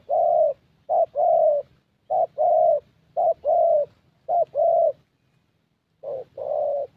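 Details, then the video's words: A Spotted Dove in Gia Lai, Vietnam, recorded while luring doves, gives low, mellow cooing phrases, each a quick short note and then a longer hooting coo, repeated about once a second with a brief pause. "Thổ Tơ Âm Giọng Khá Tốt"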